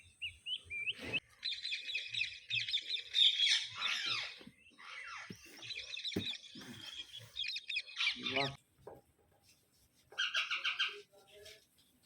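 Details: Baby Indian ringneck parrots fed by an adult that feeds food into their mouths: bouts of harsh, buzzy, rapidly pulsed calls in overlapping bursts, with pauses and scattered clicks and shuffling between them.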